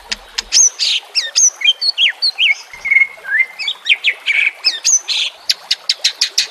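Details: White-rumped shama song prepared as a master track for training, mixed with nature sounds and trickling water; rapid, varied bright whistles and sharp high notes, ending in a fast run of clipped repeated chips.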